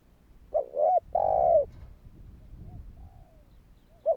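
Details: Spotted dove calling to prompt other doves: one loud low phrase of a rising note and a long steady coo, followed by faint distant coos and the start of another phrase.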